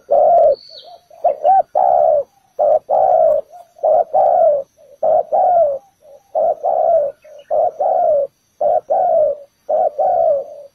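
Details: Spotted dove used as a ground decoy to lure wild doves into a trap, cooing steadily: a short note then a longer, slightly falling one, repeated in pairs about once a second without pause.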